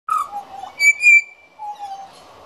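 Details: Juvenile pied butcherbird, one of the young birds visiting a garden, practising its song: a clear fluting note dropping into a lower whistle, a bright higher whistled tone, then a soft mellow low note.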